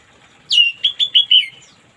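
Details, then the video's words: Orange-headed thrush singing in the morning, used as therapy for birds that have stopped singing: one short phrase of five quick, clear whistled notes, the first sliding downward, the rest brief bright chirps at an even high pitch. "terapi burung anis merah macet di pagi hari biar cepat ngplong"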